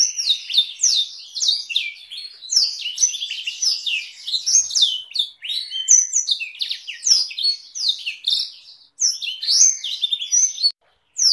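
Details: Long-duration canary master song with Blackthroat roll variations, for tutoring canaries and White-rumped Shamas: nonstop tumbling high notes, whistled slurs and buzzy rolls packed tightly together, with short silences near the end, quiet background.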